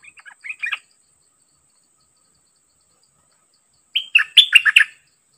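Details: A Dok Taeng decoy bird paired with a fierce wild-caught bird sings two short phrases of bright, jerky chirps separated by about three seconds of silence. The second phrase opens with a clear whistle.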